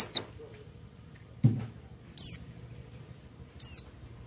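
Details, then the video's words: Oriental white-eye in active voice, not doped: a high downslurred chirp, a soft tap, then two bright descending chirps about one and a half seconds apart. "pleci buka paruh tanpa doping gacor dor"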